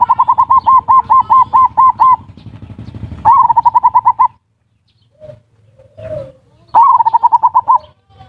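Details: Zebra dove lure call in the ngerot and kuwor styles, used to stimulate mating and prompt lazy birds to sing: two fast runs of bright repeated cooing notes, about eight a second, with softer low coos between them.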